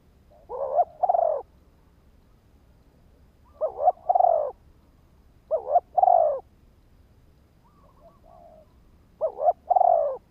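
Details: Spotted dove decoy call for attracting wild birds: four separate phrases spread over ten seconds, each a quick wavering double note and a throbbing low coo, with a faint softer coo between the last two.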